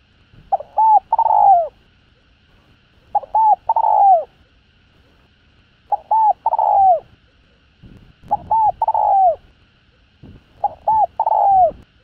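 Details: Spotted dove cooing in the hạp bổi style, calling and urging a decoy bird. Five phrases about every two and a half seconds, each with two or three clipped hooked notes before a drawn-out, downward-sliding coo. Quiet background.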